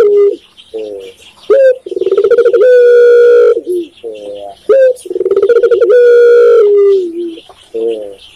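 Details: Indonesian spotted dove, known locally as tekukur, repeating a coo phrase about every three seconds. Each phrase is a clipped first note, a pulsing burred roll and a long sustained, slightly falling coo, with soft muttered notes between.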